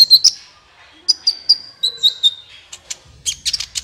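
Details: Sunbird song played to prompt other birds: bright high whistled notes in short groups, some sliding slightly downward, ending with a burst of dense, scratchy chirps.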